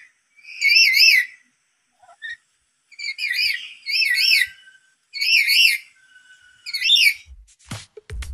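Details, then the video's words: Black-capped lory stirred up by a lure call, calling loudly and shrilly. Five wavering, warbled calls come in a series with short gaps, followed by a few low knocks and thumps at the end. "burung nuri tersulut emosi suaranya melengking"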